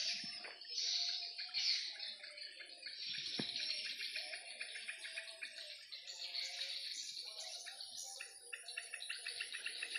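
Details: Swiftlets circling above a swiftlet house in the afternoon give busy, high twittering chirps in overlapping bursts, mixed with lower tonal notes and occasional knocks.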